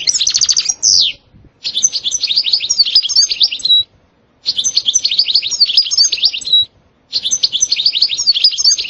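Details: A European goldfinch's song, noted for its 'sitsita' and 'bitbita' phrasing and as highly motivating. It opens with a fast buzzy trill, then repeats dense, high twittering phrases of about two seconds separated by brief pauses.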